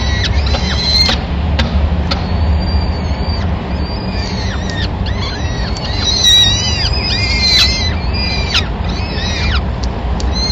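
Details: Peregrine falcon nest in Madrid, 26 April 2016, with the male bringing the first food of the day, a small bird, for all the chicks. Scattered then clustered arched whining calls over a continuous low urban drone.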